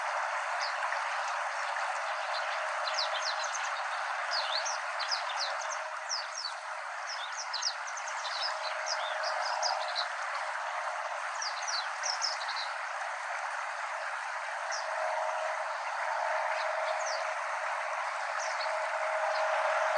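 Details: A Japanese Wagtail at a stream in Korea, recorded July–September 2023, possibly a juvenile in summer or the same bird as an adult by late September, gives quick, sharp, high chirps in rapid bursts over a steady rushing background.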